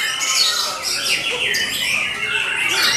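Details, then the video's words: White-rumped shama (murai batu) singing at a song competition: bright whistled phrases sweeping up and down in quick succession, with other birds singing over it throughout. "murai batu"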